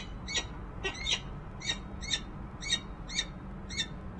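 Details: Female peregrine falcon sending out calls on a Harrisburg, Pennsylvania nest ledge in January 2013, possibly to an off-camera male: steady series of about eight clipped, raspy notes, roughly one per second, over faint low hum.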